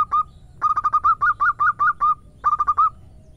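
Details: Calling female local zebra dove summoning the male, with two opening notes, then a rhythmic run of about eleven clipped coos, a pause, and a closing quick series of five.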